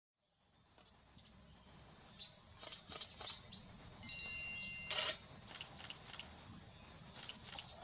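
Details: Azure-shouldered tanager, an endemic of Brazil's Atlantic forest, at Intervales State Park: thin, very high chips and short tweets scattered irregularly. A steady whistled tone appears midway, and a soft background hiss runs throughout.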